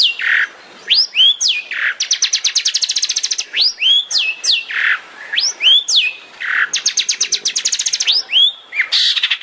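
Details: Long-tailed shrike master song for training songbirds, tembakan style: sharp swooping whistles alternate with fast rattling trills, the pattern repeating roughly every two and a half seconds.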